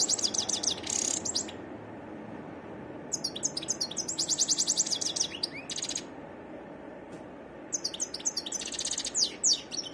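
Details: Lively varied song of a wild European goldfinch: bursts of buzzy trills and rapid high twitters with clicking chips, in three main bouts over ten seconds with brief silent gaps between.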